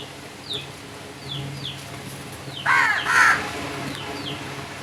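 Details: Crow calling with two loud, harsh, grating caws in quick succession midway through, preceded by several thin, high, downward chirps from other birds; faint low background hum.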